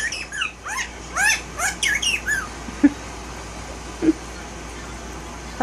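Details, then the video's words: Year-old male violet Indian ringneck parakeet kept as a tail-less house pet, chattering in a fast string of bright, bending, speech-like syllables over about two seconds, followed by a few soft clicks. "Best Talking Bird - Indian Ringneck"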